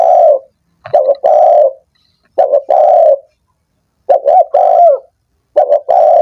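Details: Spotted dove calling, used to stimulate doves slow to sing: clear, close coo phrases of two quick notes and a drawn-out coo, repeated four times with clean silent gaps between them.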